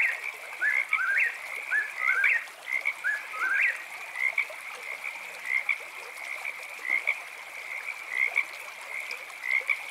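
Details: Eastern whip-poor-will singing at night, about four quick rising three-part whistled phrases in the first seconds, then fading beneath short paired frog chirps over a steady high-pitched insect and frog drone.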